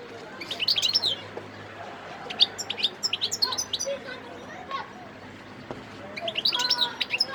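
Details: Goldfinch of wild origin singing in Sidi Bel Abbes, Algeria, on 17 December 2021: short clusters of high twittering notes broken by quieter gaps with low background murmur.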